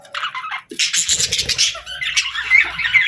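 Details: Parakeets chattering: scratchy, buzzy warbles and quick squeaky chirps, with a brief pause before a louder burst of hissy chatter and a few clear whistled notes near the end.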